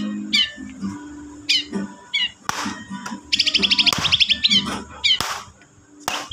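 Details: Magpie robin fighter song played as a lure for caged birds that have gone quiet: varied rising whistles, a fast rattling trill in the middle and sharp chirps, set against low background music.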